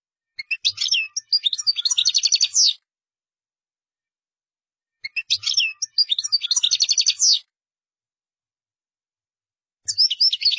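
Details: Caged European goldfinch, in song: bursts of rapid, twittering, buzzy notes lasting about two seconds, repeated after short silences, with trills and chattering phrases; no other sounds.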